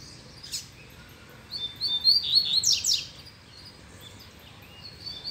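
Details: Double-collared seedeater male, caged, singing as a female approaches: a fast string of high, thin whistled notes building into sharp descending strokes, lasting about a second and a half, with quiet surroundings.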